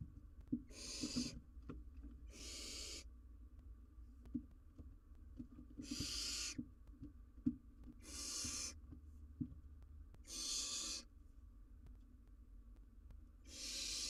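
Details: Barn owl owlet in the wild, filmed by live cam trying to eat an enormous jird: six to seven loud, breathy hissing screeches, each nearly a second long, repeated every one and a half to two seconds, with scattered thumps.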